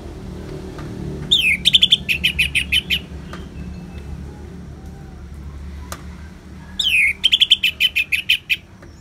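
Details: Orange-headed thrush singing 'ngeplong', paired with rain sounds: two phrases, each opening with a falling sweep followed by a rapid run of about ten sharp, high repeated notes, against a low continuous rushing background.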